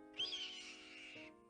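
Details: Red-tailed hawk (Buteo jamaicensis) scream: a single hoarse, high scream about a second long, sliding slightly downward, over a faint steady hum.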